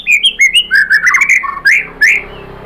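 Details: White-rumped shama singing a lure to get other birds to respond: rapid, rich warbled phrases of rising and falling whistles in quick succession, ending in two loud upslurred notes.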